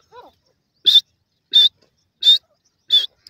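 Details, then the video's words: Grey francolin calling: four loud, clipped high notes evenly spaced about every 0.7 seconds, each with a short low lead-in, against an otherwise silent background. "gray francolik sound"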